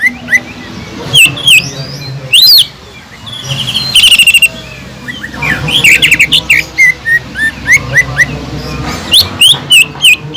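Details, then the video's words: Greater green leafbird in full song, with mimicked kingfisher phrases, meant to stir and tutor other leafbirds: loud, sharp downslurred whistles and rapid rattling bursts with short pauses, over a low steady hum. "PANCINGAN CUCAK IJO GACOR ISIAN ISTIMEWAH TENGKEK UDANG"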